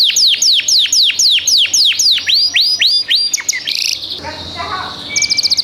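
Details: Canary wearing a 2025 ring sings a steady series of about eleven sharply falling whistled notes, shifting to rising slurs, then a harsh buzzy burst, a short pause and a rapid high trill at the end.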